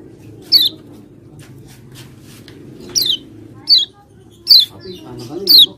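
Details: Common iora sounds used as a lure to make reluctant birds sing: five clear, high, falling whistled notes spaced irregularly about a second apart over a low steady hum.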